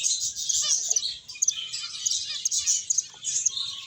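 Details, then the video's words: Playing, feeding finches produce a busy mass of thin, high-pitched tweets and trills, loud and nearly unbroken, with a short clear whistled note near the end. "Cute Birds Chirping Sounds | Beautiful Finches Playing and Eating"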